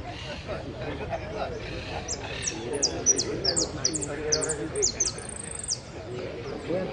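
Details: Hooded siskin (Spinus magellanicus), a yellow-category entry placed fifth at a song contest in Pirán on 15 January 2017, sings a quick, high, twittering run of sharp, thin notes for several seconds over background murmur and voices.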